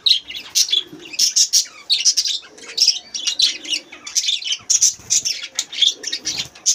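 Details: Colony of budgerigars kept for breeding, with pairs laying clutches of six or seven eggs: continuous busy chirping and squawking from many birds, sharp scratchy notes packed closely together without a break.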